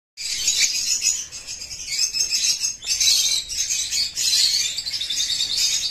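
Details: Bird chicks separated from their colony, giving a dense, continuous chorus of high, thin chirps from many birds at once, swelling and fading in waves without pause.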